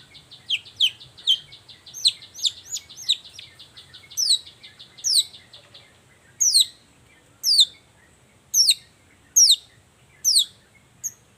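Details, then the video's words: Long-tailed shrike in the morning, a lure to make other shrikes join in: a rapid run of sharp downslurred chirps, then slower, evenly spaced high descending whistled notes, roughly one each second. "Suara cendet gacor Pagi Hari pancingan jitu BIKIN cendet diam langsung nyaut ikutan bunyi"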